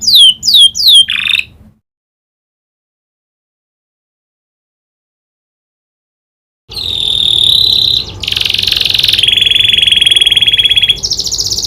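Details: Singing canary trained on the prinia's clicking call: a quick burst of sharp downslurred notes, a long silence, then loud continuous buzzy trills shifting in pitch.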